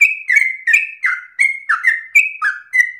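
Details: Yellow-vented bulbul singing a persistent, long-breathed rolling song offered as the easiest pattern for learner bulbuls to imitate: clear, slightly falling whistled notes, alternately higher and lower, in rapid succession, with no other noise.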